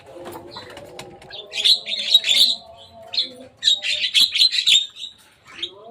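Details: Javan myna on top of a cage giving two runs of rapid, rasping chatter, each about a second long, over a steady low humming tone in the background.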